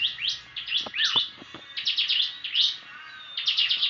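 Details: Prinia, tame and in full voice, giving an unusual chirping song: dense runs of high, quickly repeated chirps and short rising whistles, nearly continuous, with faint background clicks.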